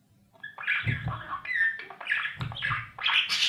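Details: Budgie chicks and feeding parents inside a breeding nest box. After a quiet start, softer husky chirps and grating squawks come in short bursts, with low thumping bumps from inside the box.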